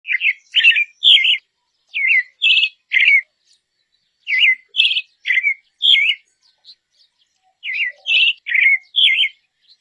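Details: Dusky thrush (Turdus eunomus) giving quick groups of three or four high, squeaky chattering notes separated by short pauses, against a quiet background; a species that winters in Taiwan and southern China.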